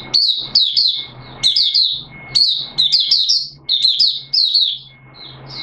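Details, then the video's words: Malaysian mata puteh, an Oriental white-eye kept as a hobby bird in Singapore, warm humid day with sudden showers, 29 March 2023: short rapid bursts of high, tumbling chirps repeated roughly every second, with a faint steady tone behind. "Malaysian Mata Puteh Buka Sing"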